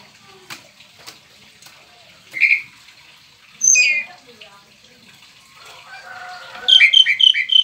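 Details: Domestic male Oriental magpie-robin giving a few separate squeaky, whistled phrases, then a quick burst of bright repeated chirps at the end; faint clicks behind.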